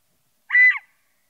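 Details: Scaled quail uttering one strong nasal, buzzy-toned note of about a third of a second, evenly sustained then fading, with silence around it.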